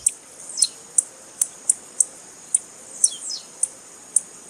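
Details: Female blue-black grassquit calling, used by breeders to stimulate and warm up males to sing: sharp, very high chirps repeated about every half second, with a couple of quick downslurred notes mixed in, over a quiet background.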